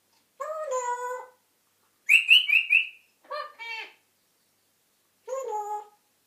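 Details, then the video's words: African grey parrot talking and whistling: voice-like harmonic phrases in four bursts, including a run of four quick whistled notes, separated by short silences. "African grey parrot talking and whistling"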